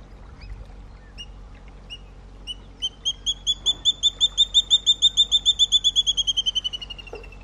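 A water thick-knee gives a long series of clear, piping whistles, spaced at first, then quickening into a rapid run that swells, then fades and drops slightly in pitch.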